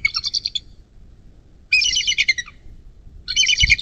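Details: Bald eagle at its nest along the Little Miami National Wild & Scenic River near South Lebanon, Ohio, USA, caught by nest camera on 11.04.2024 at 19:34; high, thin chittering bursts of rapid piping notes, three bouts separated by pauses.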